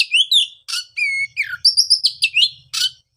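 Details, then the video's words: Oriental magpie-robin singing, used to coax a post-moult bird back into song: sweet slurred whistles, a long level whistle, then fast varied high notes and a harsh burst, with faint low background rumble. "pancingan suara untuk terapi burung kacer"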